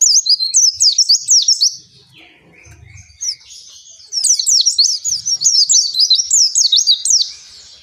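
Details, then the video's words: Captive oriental white-eye singing a long continuous song meant to get other caged white-eyes singing: bursts of rapid, high, sharp twittering notes. A quieter pause in the middle carries a low hum. "Suara Pleci Gacor Ngalas Panjang"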